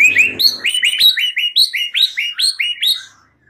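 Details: White-rumped shama song, recorded as a master track for training other songbirds, rich in varied fill phrases: a rapid run of about a dozen clear, bright whistled notes, each with a quick upward flick, delivered several per second against a quiet background.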